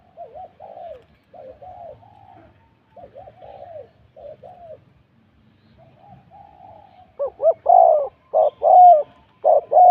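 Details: Spotted dove during a Thai morning decoy-luring session: soft distant wavering coos at first, then a nearby bird breaks in with loud, quick, rough coos in a rapid cluster.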